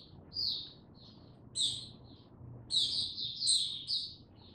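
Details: Softer song from an Oriental white-eye kept in captivity, 2 May 2022. Scattered high chirps build into a quick cluster of sweet twittering notes over low room noise.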